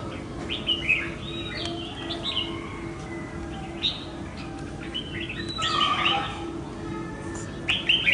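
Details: Red-whiskered bulbul that escaped and flew back home to fight a decoy bird; short bright chirps and warbled notes come in scattered bursts, with a steady low hum beneath and a man talking nearby.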